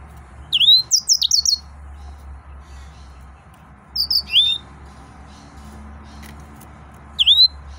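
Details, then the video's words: Excited male yellow-fronted canary delivering short bursts of high, rapid, slurred chirps, separated by several seconds of quiet with a faint low hum. "تغريد مرعب سورا الموزمبيقي"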